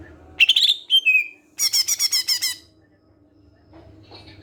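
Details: Greater green leafbird song used as a lure to draw other leafbirds into singing: sharp high whistled notes, a short falling whistle, then a fast burst of about seven buzzy chattering notes, ending in a faint thin phrase.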